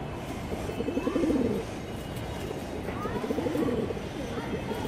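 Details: A loft pigeon, of the Bagha Banja breed, gives soft, rolling coos, each a low burbling phrase that swells and fades.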